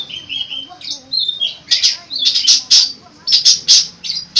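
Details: Long-tailed shrike singing a mimicking song, drawn-out whistles followed by a series of sharp, loud high clicks and chips in quick bursts.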